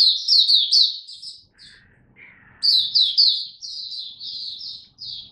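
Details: Captive Oriental white-eye performing its song display, 26 November 2022: a bright, fast twitter, then a short lower buzzy note and a pause before the high warbling resumes.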